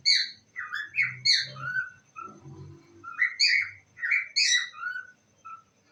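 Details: Parrot kept as a pet saying "I love you" in squeaky bursts, phrases broken by a lower muffled sound and quiet room noise partway through.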